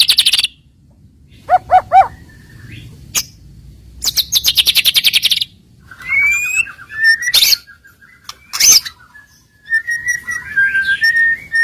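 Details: Lure recording of white-rumped shama filler song for stirring rival birds: scattered phrases mixing short paired notes, loud harsh buzzy bursts, sharp clicks and sustained thin whistles, separated by brief silences.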